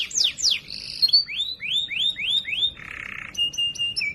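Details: Canary song used as loud, clear training material for other canaries: fast descending sweeps, a buzzy band, rising slurred notes repeated five times, a low raspy trill, then steady high whistles with short upper tones.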